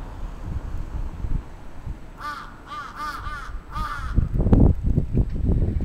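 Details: Crow attacking in Atsubetsu Ward, Sapporo, Japan, on 27 June 2017: four hoarse, arched caws in quick succession midway, then low rumbling and rustling noise takes over.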